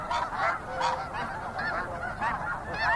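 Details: A snow goose flock keeps up steady calling, with overlapping high, nasal honks from many birds forming a near-continuous chorus.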